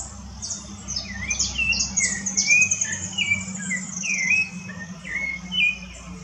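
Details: Rufous-bellied thrush singing in woodland: a string of clear, slurred whistled phrases, some rising and some falling, about seven short notes spaced through the passage, over a busy chorus of thin high chips from other birds and a low steady hum.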